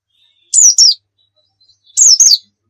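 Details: White-eye in the rapid 'nembak' song style, used as a lure to prompt other birds: two quick high chirpy phrases, each a sharp falling-rising twitter, separated by about a second of silence.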